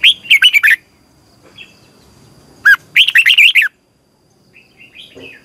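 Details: Lure-bird song of a red-whiskered bulbul recorded for morning training, long twisting double voice: two bursts of rapid, rich whistled chirps separated by silence, then soft faint notes.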